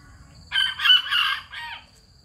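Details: Bantam rooster (gà tre), a small ornamental breed in Hanoi, Vietnam, crowing: a loud, harmonically rich, multi-part call lasting about a second, rising and holding before a short falling tail, over a quiet background with a faint steady high insect whine.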